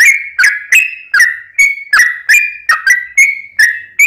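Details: Sooty-headed bulbul in long lively song used to draw answers from others: a quick, even string of bright, liquid whistles, each with a sharp start and a falling or level tail, no other sounds.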